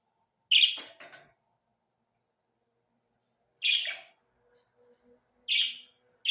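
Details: Budgerigars calling with three short, scratchy chirps spread over six seconds, the first followed by a quick softer echo note, with a faint low hum in the background.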